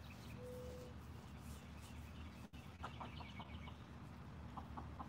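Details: Six Golden Comet chickens eating a watermelon snack in the evening give soft, short clucks in scattered bursts, a few in the second half, over a steady low hum and a brief whistle-like tone.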